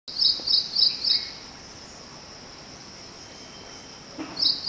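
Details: Ashy prinia giving four quick high, sharp notes in a row, then a pause before one more; a steady high insect-like hiss underneath. Recorded near a house at 6:20 am on 25 May 2022.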